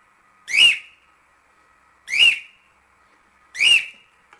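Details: Cockatiel song used for training chicks to sing: three loud, clear whistled notes, each bending up then down, repeated about every one and a half seconds with silence between.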